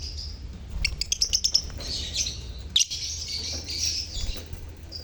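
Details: Lovebirds in a colony, chirping used to stir silent birds to sing; rapid sharp ticking notes, then a sudden shrill squawk, followed by busy overlapping high twitters over a faint hum.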